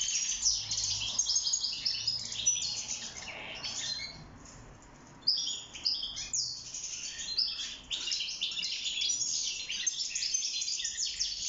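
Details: Wild European goldfinch (mqnin) in a cage, song tied to mating and nest building; fast high twittering and chirps for about four seconds, a quiet gap of roughly a second, then renewed vigorous chatter to the end.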